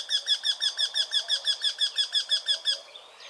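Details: Eurasian wryneck calling at dawn on a birding morning: a fast, even series of about fifteen nasal, ringing notes, roughly five per second, then stopping abruptly, with faint background hiss.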